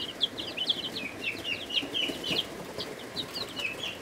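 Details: Week-old chicks, Ameraucanas, Buff Orpingtons, Rhode Island Reds, Barred Plymouth Rocks and Black Australorps, kept in a brooder; a busy chorus of high, thin, falling peeps from many birds at once, with faint shuffling beneath.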